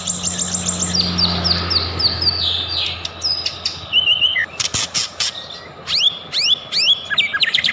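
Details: White-rumped shama song used as a lure to provoke singing: a dense run of high sweeping and descending whistles, then sharp rising upslurred notes and clicky chips, over a low steady hum in the first seconds.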